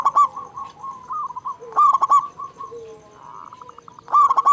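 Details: Local zebra dove with a big voice, calling frequently; loud bursts of three or four quick, ringing hooted coos, heard twice about four seconds apart, over softer rolling coos from other doves.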